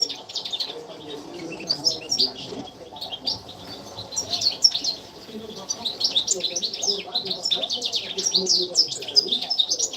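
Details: European goldfinch, kept in a cage, giving a fast, tinkling twitter of high chirps and trills that runs almost without pause over a faint low murmur; used as mating-stimulation song, described as a female calling the male.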